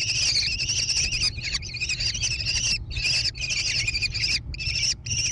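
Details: Young American kestrels in a gravel-floored nest box near Prairie du Chien, Wisconsin, 14 June 2022. Loud, buzzy, trilling screeches come in runs of one to two seconds with brief silences between.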